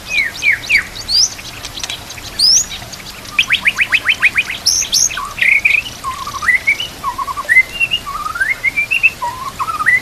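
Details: White-rumped shama song for training other shamas, set with nature sounds and trickling water: varied whistled phrases, a fast rattling series of rising notes, then looping warbled whistles repeated in quick succession.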